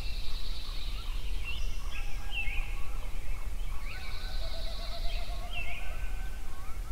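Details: Songbirds singing at sunrise in Yellowstone: high buzzy trills near the top of the range come in two bursts, with scattered chirps, short rising whistles and a low sustained trill, all over a steady low rumble.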